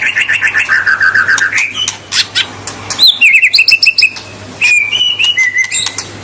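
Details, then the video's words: Lively white-rumped shama song used to rile up rival shamas: a long wavering whistle, then rapid chips, sharp upslurred notes and a series of repeated downward whistled notes, bright and varied. "Suara kicau murai batu super gacor.Membuat Murai lawan mbagong"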